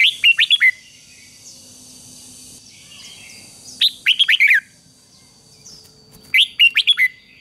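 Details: Red-whiskered bulbul singing, played to coax a newly caught wild bird into competitive song: three short phrases of four or five sharp, chirpy whistled notes, spaced about three seconds apart, with a faint constant high tone behind.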